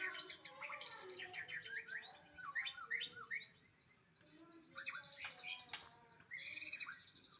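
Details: White-rumped shama singing in bursts of rich whistles, twittering trills and up-slurred notes, with a brief quiet gap midway before the varied phrases resume, punctuated by several sharp clicks.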